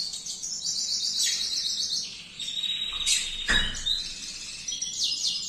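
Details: Canary singing a continuous, rapid stream of high, bright trills and rolling notes, with phrases changing every second or so, plus one sharp lower note, over a background of steady low noise.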